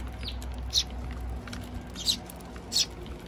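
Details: Feeding Eurasian tree sparrows with young at a bird feeder in Japan, June 2023; three clear high chirps about a second apart, with soft rustling and low hum beneath.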